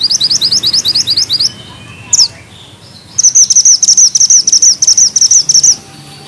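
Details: Mountain bushchat in full song with tight rolling phrases and sharp notes: fast, high, repeated twittering trills, a brief pause with one sharp call, then a long, even series of rapid chirps.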